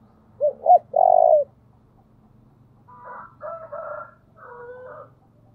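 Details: Decoy spotted dove calling loudly: two brief rising notes and a sustained deep coo, then a pause before a series of softer, layered, wavering coos.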